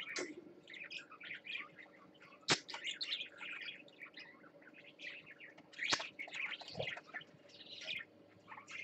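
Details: A parakeet on swings, recorded 20 December 2014, chatters in continuous busy warbles and squeaky chirps, mostly high-pitched, broken by a few sharp clicks and knocks.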